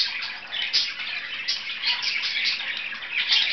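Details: Two pet budgerigars playing, giving a continuous, busy warbling chatter of scratchy, high chirps and squeaks with frequent brighter peaks, steady throughout, in a small indoor room.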